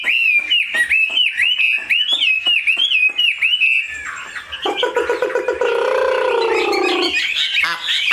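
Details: Chinese hwamei kept as a cage bird repeats a series of looping whistled phrases about four times per second, then shifts to a harsher, lower drawn-out note before returning to high whistles.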